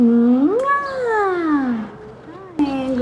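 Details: Seven-month-old male pet Alexandrine parakeet talking after waking in the morning, greeting with a loud voice. One long, smooth, voice-like tone rises, then slowly glides down, with a shorter rising note near the end.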